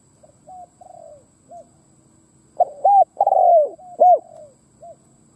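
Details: Decoy spotted dove cooing to lure wild doves: faint, mellow coos first, then after a gap a loud run of hollow, arched coo notes ending in a long, falling drawn-out coo, followed by softer coos.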